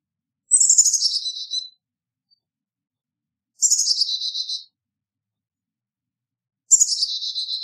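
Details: Carolina chickadee calling: three buzzy, rough descending dee-dee-dee calls spaced about three seconds apart, with silence between.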